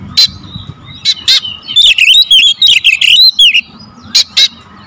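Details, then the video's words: Oriental magpie-robin singing a 'pancingan' with tight 'tembakan' shots: scattered loud isolated cracks, then a dense burst of wavering whistled notes lasting about two seconds, followed by two more sharp cracks. "PANCINGAN KACER SUPER POWER TEMBAKAN RAPAT"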